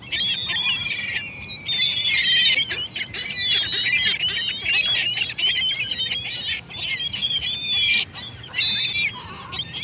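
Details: A crowd of gulls cries nonstop, loud grating squawks and wavering squeals piled on top of each other, broken by a few brief pauses.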